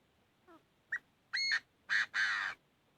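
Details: Chinese francolin fighting song: faint lead-in notes followed by three loud harsh, raspy calls of growing length, delivered as one emphatic phrase lasting about a second and a half.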